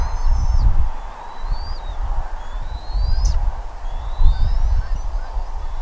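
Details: Bald eagle at its nest in Redding, recorded at 07:00 on 25 April 2021: thin, high whistled chirps rising and falling, repeated every second or so, over steady low wind rumble.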